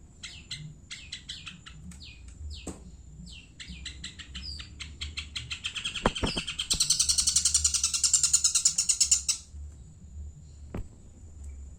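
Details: Long-tailed shrike of Madura origin in full song: scattered chirps and short slurred notes build into a loud, harsh, rapidly pulsed grating burst lasting about three seconds, then break off into silence with a few clicks.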